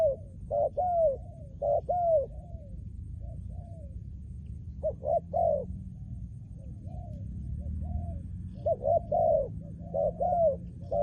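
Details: Cooing song of a trained decoy spotted dove: resonant, downslurred notes in pairs and triplets, some phrases loud and others soft and distant-sounding, separated by brief pauses over a low background hum.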